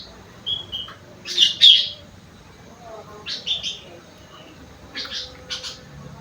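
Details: Sooty-headed bulbul (kutilang) carrying a rengganis and cucak wilis song fill: short, bright, liquid whistled phrases in separated bursts. The loudest burst comes near the start, and softer phrases follow after pauses, over a quiet background.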